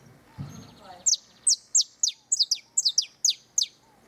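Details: Canary song close to the nest: after a short quiet start with a low knock, bright, high downslurred notes repeat steadily, some doubled, about three per second.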